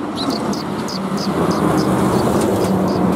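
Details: Sparrows arriving to be fed on a shrine's front approach, 26 March 2021: short high chirps repeated about four times a second over heavy low traffic rumble.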